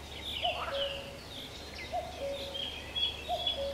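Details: Mallard hen with ducklings bathing and preening on the Nezhegol River, Shebekino district, Belgorod region, Russia, gives short, low nasal notes about every one and a half seconds, over steady thin, high peeping from the ducklings.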